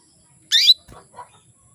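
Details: Calling female canary luring males into mating readiness: one loud, raspy, high chirp, followed by a couple of faint low rustles.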